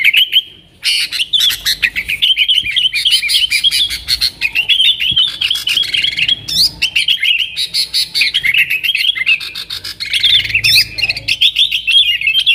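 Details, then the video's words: Sustained yellow-vented bulbul song in nggaruda style, aimed at luring wild sooty-headed bulbuls: rich, tumbling warbles and rapid chatter packed tightly together, with a brief silence near the start. "TRUCUKAN GACOR Nggaruda"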